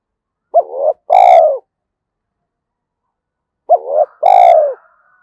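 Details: Spotted dove, 'giọng thổ' song style used for luring in the forest: two identical two-part coos about three seconds apart, each a quick upward note then a long full note, in silence.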